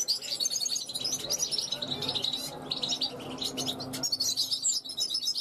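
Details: Young goldfinch from 2021 calls out to passing wild goldfinches at a balcony, giving rapid bursts of bright, jingling twitters that rise and fall in quick clusters, over a faint low background hum.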